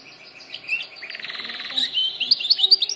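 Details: Canary singing for training birds: a buzzy rolling trill in the middle, then sharp high whistled notes repeated quickly toward the end.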